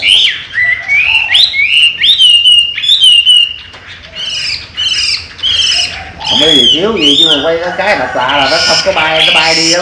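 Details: Trained pet Chinese hwamei, flying out of its open cage and back in, delivers a run of loud rising whistles for about six seconds, followed by a man speaking over softer notes.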